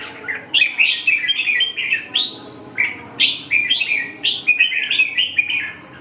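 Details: Red-whiskered bulbul song: a steady run of short, clear, whistled and warbled phrases, each rising then dropping, repeated almost without a break.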